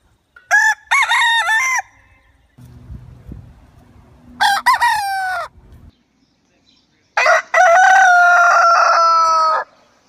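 A rooster gives three loud, harmonic crows, the last long and drawn out, with a low rumble of background noise between them.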